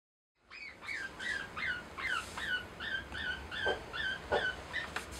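A lineolated parakeet gives a steady run of short, bright, up-and-down chirps, roughly three each second, with faint soft clicks between them.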